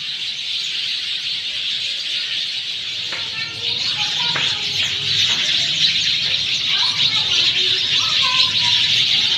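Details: Post-monsoon rain chorus of sparrows in Sanghar, Sindh: constant shrill chirping from a large group, with a few sharp clicks and faint lower whistled notes from other birds in the second half.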